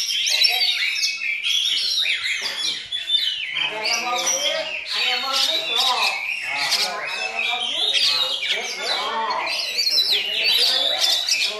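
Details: Caged Oriental magpie-robin, a young bird learning from a myna tutor, singing long and loud in a dense, continuous run of varied whistles, chatters and harsh squawky notes mimicking myna, with overlapping phrases and no pauses.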